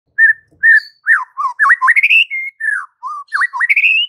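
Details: White-rumped shama song used as a training recording to provoke other shamas: loud varied whistles around mid pitch, a sequence of rich rising and falling notes and quick rising phrases, delivered in bursts with short pauses.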